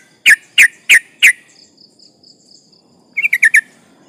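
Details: Yellow-vented bulbul singing actively as a lure against rivals: four loud, evenly spaced sharp chips, a pause, then a quick run of four tighter, higher notes.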